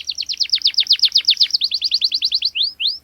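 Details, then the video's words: Canary pouring out a loud, sharp roll used to train young canaries: a fast series of downslurred whistles repeated about four per second, ending with two slower rising whistles. "KENARI Gacor Cuit cuit NGEROL TAJAM Menekan Lawan, Pancingan KENARI PAUD belajar bunyi | Canary bird"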